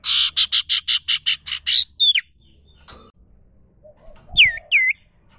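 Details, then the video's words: Common iora, known locally as sirtu cipoh, recorded in the wild: a fast harsh buzzy chatter of eight pulses, then a sharp falling whistle, a pause with a soft knock, and two more curling down-slurred whistles. "Burung sirtu cipoh suara alami"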